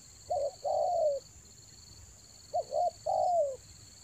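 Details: Spotted dove calling for luring birds in the rainy season, Toba: twice a quick paired note followed by a longer falling coo, separated by a short pause, over a steady high whine.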